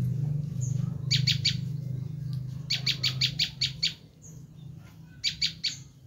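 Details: Screaming call of a Bar-winged prinia, played to attract wild prinias: short clusters of sharp, scratchy chip notes separated by gaps, with a thin high whistle between bursts and a loud low drone throughout.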